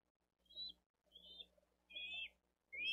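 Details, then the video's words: Younger bald eagle chick asking for food on a Dade County nest cam, 13 April 2023, while the adult feeds its elder sibling fish; four thin, high whistled calls, some slightly downslurred, spaced about every half second. "LITTLE ONE CALLS"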